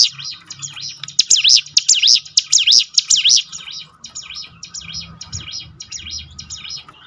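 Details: Prinia (ciblek gunung) song for training birds to sing more: loud, sharp notes that drop and rise in quick succession, growing fainter toward the end, with a low rumble underneath.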